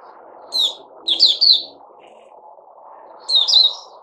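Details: Puteh Raja bulbul, given fruit juice, a mealworm and a health booster drink, dated 08-05-2021, delivers short lively chirped phrases of quick bouncing notes in three bursts over a steady low hum.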